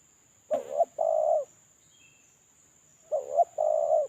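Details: Spotted dove lure call from a molting, unpaired decoy bird. Two phrases about two and a half seconds apart, each a wavering coo then a longer burry coo, with a faint thin high note in the gap.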